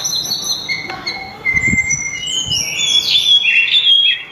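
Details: Melodious sulingan (tledekan gunung) song: long flat high whistles held steady, then a quicker cluster of bright, slurred and warbling notes rising in intensity.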